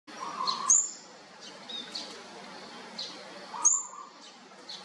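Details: Olive-backed sunbird chicks of a fourth brood, being fed: two very high, sharp chirps about three seconds apart, with softer hissy rasps and a low whistled note between them.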